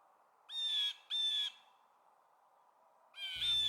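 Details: Canada (Gray) jay gives three harsh, nasal, slightly buzzy calls, two close together and one after a pause, over a steady low background hum, near nesting blue jays.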